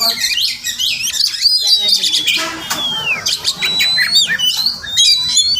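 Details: A wild Oriental magpie-robin, a daily morning visitor near a home, sings a sweet, varied stream of clear whistled notes, long falling slurs and rasping chatter with few gaps.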